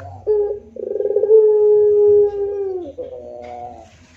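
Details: Spotted dove moaning coo, opening with short stuttered pulses that swell into a long steady low tone, falling away at the end into a softer trailing note, over a low background hum.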